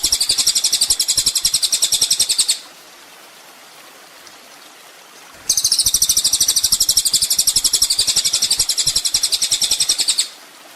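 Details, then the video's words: Kolibri ninja sunbird master recording for training songbirds: a high, dense buzzy trill of fast pulses lasting over two seconds, a quiet gap of about three seconds, then a longer five-second trill. "masteran mewah full isian kolibri ninja bikin burung emosi"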